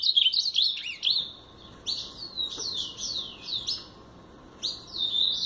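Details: Paraná-style song from a brown-plumaged blue-black grosbeak: a fast jumble of high whistles, then separate downward-slurred notes repeated at roughly half-second spacing before a final short warble.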